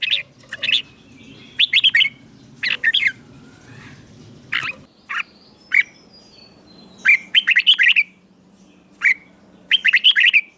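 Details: Song of the red-whiskered bulbul from Thailand, southern master style, for rousing caged birds and training young ones: repeated short chirped phrases separated by pauses, a thin falling whistle midway, then a dense run of bright notes.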